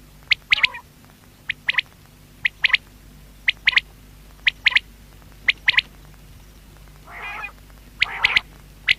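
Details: Batair calling steadily: sharp paired and tripled clicking notes roughly once a second, broken by a couple of wheezy, harmonic, drawn-out calls near the end; low background hum.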